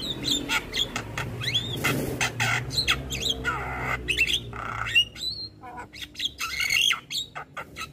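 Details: Song of a black-winged starling meant for training young starlings, mixing loud harsh squawks, rasping broadband bursts, sharp clicks and brief slurred whistles in quick irregular succession, with a low hum beneath.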